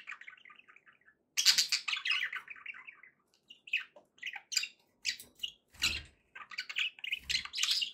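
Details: Caged pet budgerigars indoors: a soft rapid twitter first, then a loud buzzy, squawky warble, followed by scattered chirps and harsh chatter with a couple of low knocks.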